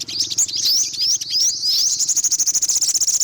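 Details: Olive-backed sunbird, yellow-bellied: high rising sweeps that break into a rapid, even trill of sharp notes, continuous and loud throughout.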